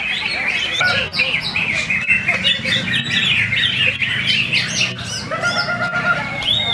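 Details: Full song of a greater green leafbird: rapid, unbroken babbling of bright whistled phrases, trills and squeaky notes, with a steady low background rumble.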